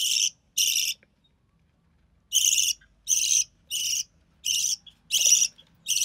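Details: Recessive pied budgerigar chick, hatched early June 2020, sole survivor of three, offspring of a white recessive pied male and albino red-eye female, during the mother's feeding: harsh buzzy rasps, eight short bursts in two runs with a pause between.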